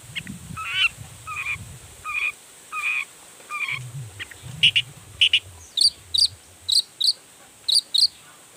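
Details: Long-tailed shrike song used to provoke other shrikes into singing: evenly spaced harsh, nasal two-part notes, then a quicker series of sharp high chips repeated about twice a second, over steady high hiss.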